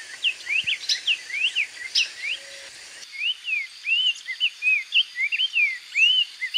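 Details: Wild black-faced tanager from Brazil's cerrado and forest edges giving a melodious song. Short arched whistled notes sweep up and down in rapid runs, about two per second, clear against a quiet hissing background.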